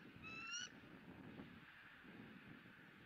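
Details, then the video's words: A single brief, high rising squeal opens this stretch from a bald eagle eaglet being fed its second fish of the day on a Southwest Florida nest cam, April 2017, followed by steady hiss. "E9 is Squealing"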